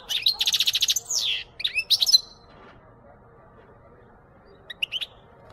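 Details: European goldfinch song played to encourage goldfinches to sing: a fast, rattling burst of high twittering notes, a few sharp chirps, a pause, then a short pair of thin calls. Faint background hum.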